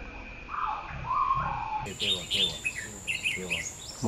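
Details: Red-whiskered bulbul, a white-cheeked bird, competing against several older birds in a singing contest, giving quick, bright warbled phrases in short bursts of chirpy notes, with a man talking softly underneath.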